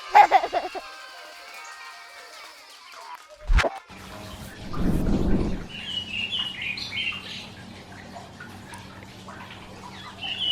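Karoo Thrush giving bursts of short, high chirping notes in quick succession over a steady low hum, after a brief musical opening and a sharp knock.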